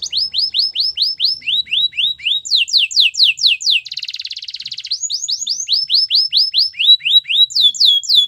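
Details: Singing Belgian canary delivering clear descending slurred whistles in quick series, varied in pitch, broken by a short buzzy rattle before the whistled phrases resume, each note repeated about twice per second.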